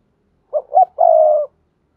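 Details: A single spotted dove phrase in thúc gù style, used to train newly caught doves to coo: two quick low hoots, then a longer, smooth, slightly falling coo, in a quiet setting.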